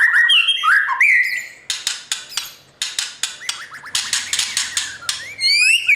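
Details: Caged white-rumped shama, trained for singing competition, in the morning: opening warbled whistles, then repeated loud harsh clicking and rattling bursts, ending in a rising whistled phrase.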